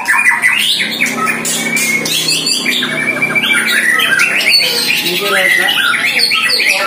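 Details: During a first training bout against a neighbouring shama, a one-year-old White-rumped shama delivers loud, varied whistled and chattering phrases, overlapping with the rival, while a low human voice murmurs briefly in the first seconds.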